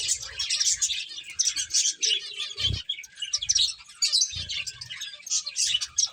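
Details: Finches chirping during play, a steady wash of thin, high twittering notes from several birds, broken by a couple of brief low thumps.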